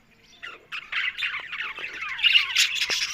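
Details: Budgerigars recorded on October 1, described as talking: scattered warbled chirps and short squawky notes that build after a quiet start, with a few sharp clicks near the end.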